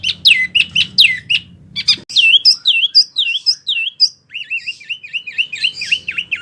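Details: Wambi song offered as a tutor recording for oriental magpie-robins: sharp chirps at first, then looping downward-curving whistles that settle into a fast, even chain of swooping notes.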